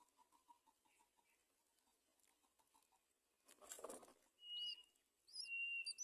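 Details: Great myna bringing food to young at the nest: soft ticking, a burst of rustling noise, then level whistles mixed with short, high, upward-flicking chirps.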